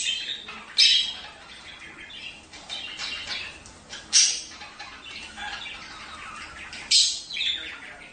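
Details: Budgerigar chatter used to stimulate breeding: steady high, scratchy warbling with loud harsh squawks roughly every three seconds.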